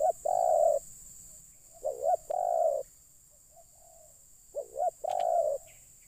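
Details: Spotted dove coos during luring of wild birds: three phrases of quick rising notes and a long hoarse coo, with a few faint distant coos in the pause, plus light hiss.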